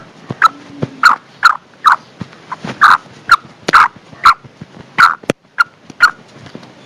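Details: Female black francolin giving the call said to excite males, used to draw them in during winter: a series of short, harsh, clucking notes repeated about every half second, with faint background clicks.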